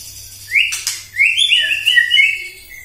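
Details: White-rumped shama singing in the morning, used as a lure to provoke other shamas: loud rising whistled notes, then a rich warbled phrase with sharp clicks, clean background.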